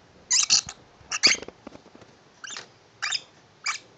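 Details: A tame pet lovebird, kept indoors, happy with a new shoe box given as a house, gives short harsh chirps in uneven pairs and singles, about five bursts over four seconds, with faint rustling between them.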